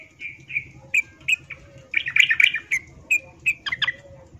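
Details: Yellow-vented bulbul female, in breeding condition, calling a male. Short bright chirps spaced about half a second apart, breaking mid-way into a denser cluster of harsh chattering notes, with a low steady hum beneath.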